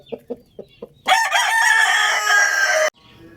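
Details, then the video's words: Rooster crowing loudly: four short, soft clucks spaced evenly lead into one long, loud, harsh crow held for nearly two seconds with a wavering start, then cut off sharply into quiet. "Adorable Rooster Crowing Loudly | Amazing Rooster Crowing Sound Effect"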